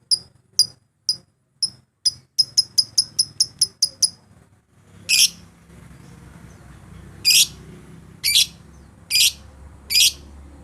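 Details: Lovebird lure for calling rivals and prompting song, for use morning, afternoon or night: sharp high chirps that speed into a rapid series, then after a pause several longer, harsher screeches.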